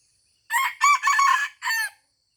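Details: Red junglefowl from Aceh crowing during a luring session at a deer park: a harsh four-part crow of raspy bursts, the last segment separated by a short pause, with a quiet background.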